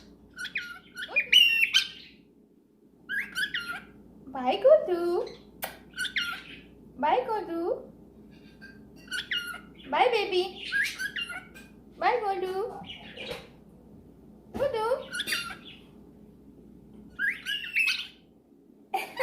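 A cockatiel gives harsh squawks and chattering, mimicked speech-like notes in short bursts indoors.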